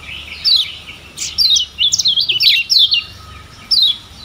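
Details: Lemon-bellied white-eye from Lombok, a tutor song for training captive birds; high thin downslurred notes followed by a quick tumbling string of zigzag whistles, pausing, then a lone falling chip.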